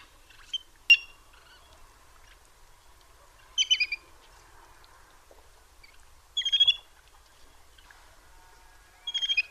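Little grebe giving short, high, pulsed chittering bursts about every three seconds, with a faint low hum in the background.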